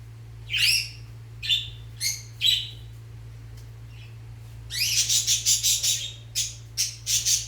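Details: Fischer's lovebirds during mating and nest preparation: a few spaced shrill chirps, a quiet gap, then a fast burst of rapid harsh chattering notes and further squawks, over a steady low hum.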